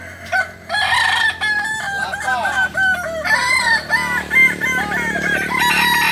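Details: Kukuak Balenggek rooster crowing at a practice session run like a real contest, where the bird that crows most often in the set time wins; a long stepped crow of many short, falling, bouncing syllables, with other crowing roosters overlapping behind.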